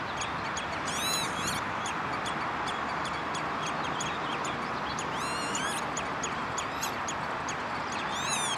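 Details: Common redshank at a water storage area in Westland, Netherlands, June 2013: clipped falling notes in a steady series, broken by bursts of curved, ringing multi-harmonic calls, over a loud hiss of background noise.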